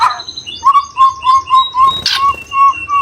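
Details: White-rumped shama (murai batu), a training recording of full isian fill and tembakan bursts. Clear, mellow whistled notes repeat about three times a second at a steady low pitch, broken once by a brief harsh burst.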